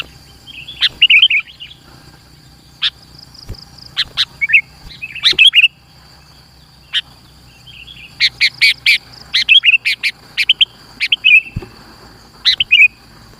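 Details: Kutilang, the sooty-headed bulbul, in dense lure song for trapping and for training young birds: short liquid warbled phrases separated by pauses, mixed with sharp clicks, over a faint steady high-pitched tone.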